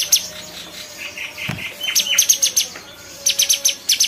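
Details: Bulbul with a fluttering rise of high chirps building into a steady series of sharp notes, a pause, then another fast run; a thump and faint low whistles sit behind.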